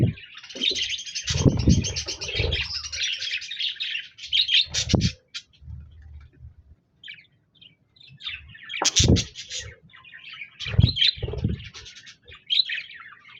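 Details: Budgerigars, recorded on 26 January 2024, chirping and singing; bright, rapid warbled chatter in long runs with pauses, mixed with lower scratchy clicks and short gaps of near silence.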